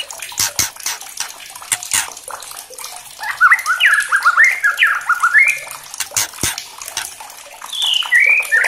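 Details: Agitated white-rumped shama provoked by a challenge recording, letting out hard crackling song. Sharp dry clicks open the passage. A burst of fast whistled notes follows, swooping up and down, then a final high whistled phrase.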